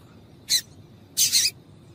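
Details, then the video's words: Female yellow-bellied seedeater calling to excite males, used by keepers of singing-tournament birds; a short sharp high chirp, then a longer, doubled, buzzy note about half a second later, over faint low hum. "MELHOR PIADO DE FÊMEA DE PAPA CAPIM COM PIADO DE FÊMEA DE PAPA CAPIM PARA ESQUENTAR SEU PAPACAPIM !"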